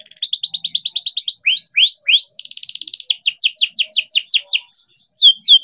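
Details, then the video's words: Captive-bred young canary in full rolling song, meant to spur silent or learning canaries to sing; a fast trill gives way to three falling slurs, a buzzy rattle, then a run of quick descending sweeps. "KENARI GACOR DOR COCOK BUAT PANCINGAN KENARI BIAR GACOR"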